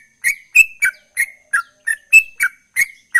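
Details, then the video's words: Sooty-headed bulbul singing in the chatty ropel style: about nine separate bright chirps in three seconds, some held as a thin whistled tail, others dropping in a quick slur. "Trucukan Gacor Ropel"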